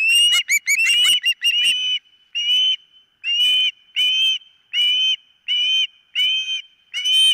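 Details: Nest-camera recording of an osprey at its nest on 4 September 2023 near 10 am: a hurried flurry of sharp chirps, then steady loud whistled notes repeated a little over once per second.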